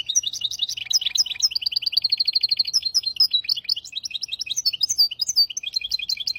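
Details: Song of a hybrid finch, meant for teaching goldfinches and canaries: a continuous, fast high-pitched warble of rapid repeated notes, with a run of evenly spaced chips in the middle and bright whistled flourishes.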